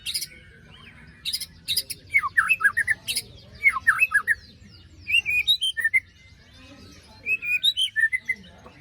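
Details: White-rumped shama lure song for a bird gone quiet after moult, with hard scratchy bursts followed by quick runs of sharp, downslurred whistled notes in short volleys, then a clear whistle and more rapid chips.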